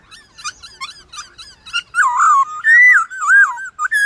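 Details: White-cheeked laughingthrush dueling in song with wild laughingthrushes at dawn: quick repeated short whistles, then longer, loud, wavering and swooping whistled phrases with a clear rising note at the close.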